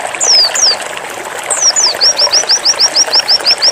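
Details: White-eye singing 'zipper' style with rapid 'nembak' bursts: a few high sliding downward whistles, then a steady string of short upswept whistled notes repeated about three times a second against a soft rushing background.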